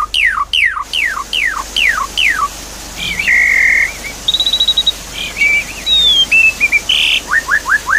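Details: Javan pied starling song meant to coax a bird that stopped singing: five sharply falling whistles in a row, then a harsh wavering phrase, a fast trill, and quick falling chips, with a continuous water hiss.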